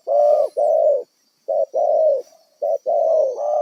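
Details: Spotted dove, wild and kept as a decoy for trapping, producing loud, harsh coos in quick pairs, each a short note followed by a longer one, with short pauses between.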